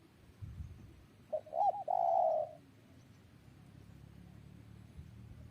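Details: Spotted dove delivering a brief curled introductory note followed by a long, even, hoarse coo lasting about half a second, then quiet with a faint low hum.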